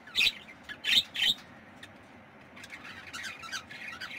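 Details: Budgerigar chicks: three harsh, raspy squawks in the first second and a half, then softer scratchy chattering over a steady background hiss.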